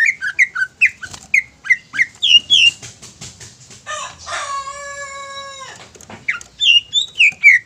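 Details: Greater green leafbird singing a lure to excite other leafbirds into singing: rapid whistled and slurred notes, broken by a long drawn nasal tone of about a second and a half, then more bright whistles.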